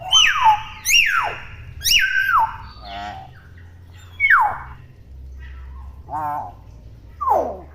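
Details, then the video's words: Unmoulted young common hill myna squawks: three loud falling calls in quick succession, then softer buzzy ribbed notes and one last steep downward squawk, low hum behind. "BURUNG BEO GACOR! BEO CEREWET"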